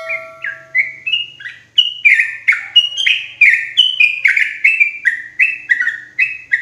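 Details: Yellow-vented bulbul lure call for trapping bulbuls in forest, loud and clear: a steady low hum opens, then bubbly, liquid notes follow in a rapid series, each short note stepping up or down in pitch.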